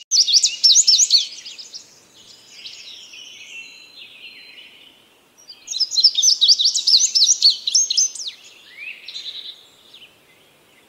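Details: Two bright bursts of rapid high chirps from an indigo bunting, separated by a quieter stretch of thin buzzy notes, with a sharp falling whistle near the end.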